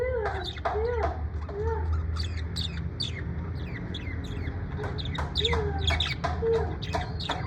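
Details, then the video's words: Parrot in the USA, said to be in a good mood, making scattered harsh squawks, clucking notes and short chatter over a constant low hum. "Parrot in usa in good mood"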